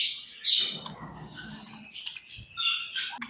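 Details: Budgies chirping as they eat, giving scratchy squawks and bright whistled chirps over steady low rustling and crunching sounds.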